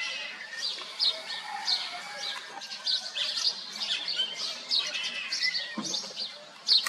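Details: Himalayan black bulbul (Hypsipetes leucocephalus) singing in Kashmir: a busy run of high, squeaky chirps and short nasal notes, several each second, with other similar calls overlapping.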